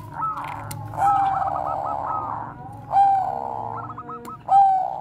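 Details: Zebra dove of the Bangkok type, used as a lure for training other doves, giving rolling trilled coos that end in clear held notes, several phrases with pauses between, over soft background noise.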